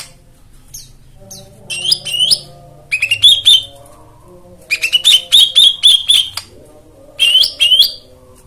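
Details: White-eye therapy song for stalled birds, with rich fill-in phrases: clusters of quick, high, bright chirps in short repeated bursts separated by pauses, over a soft low droning hum.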